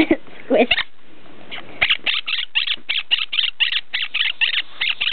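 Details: Female pet quaker parrot playing under bed covers indoors: a fast run of short, harsh, buzzy chattering notes repeated several times a second, after a few lower squawks at the start.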